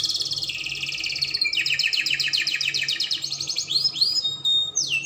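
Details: Rolling song of a Spanish Timbrado canary: a high trill dropping lower, a long run of rapid pulsed notes, then several upward-sweeping whistles near the end.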